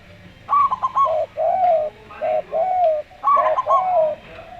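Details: Slow-singing local zebra dove: two bursts of quick, high, tremulous coo notes. Each is followed by a spotted dove's run of longer, mellow, descending coos.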